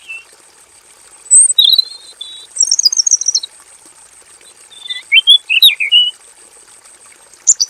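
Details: Male robin kept in a simple aviary, singing a long, full, rolling song: sweet whistled and warbled phrases come in two bursts separated by pauses, some notes sliding high. A faint, steady high whine runs underneath.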